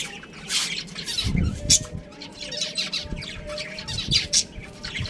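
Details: Budgerigar colony kept as pets, chattering: dense, harsh, overlapping squawky bursts and chirps in quick succession, with a faint steady tone running underneath.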